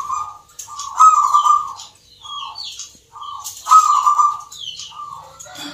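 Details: Caged local zebra doves (perkutut) competing at a Yogyakarta singing contest in Nglagu Ngepat Mentaraman style give rolling, trilled coos, two strong phrases and several short ones, while thin high whistles and chirps of other birds sound above.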